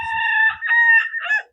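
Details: A white Silkie rooster on a farm on a sunny but chilly May day gives an odd, strangled crow of about 1.5 seconds; the owner says he can't crow. It is a steady harmonic tone broken into uneven segments, ending with a falling tail.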